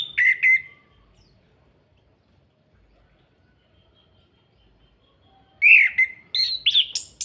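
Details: Orange-headed thrush from Salatiga uttering kretekan calls to goad other birds into song: a short, harsh double burst, a long silence, then a series of loud, scratchy, crackling notes with faint low background rumble.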